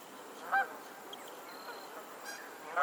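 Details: Geese on a lake in Pennsylvania: two loud, nasal honks about two seconds apart, each short with rich stacked overtones, over a quiet background with faint distant bird chirps.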